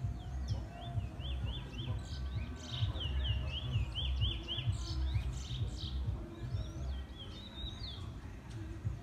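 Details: Trinidad bullfinch in its first black plumage singing: quick high twittering phrases of rising-and-falling slurred notes, repeated about once a second, over a steady low rumble of background noise.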